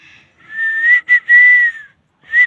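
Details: Parrot whistling a smooth tone that rises gently, breaks briefly, holds level and sinks, then adds one short whistle after a pause.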